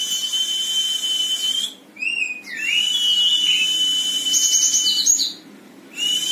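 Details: Java sparrow, a competition-trained bird with a champion's temperament, singing indoors: long high whistled notes and bell-like trills, with falling and rising slurs broken by brief pauses.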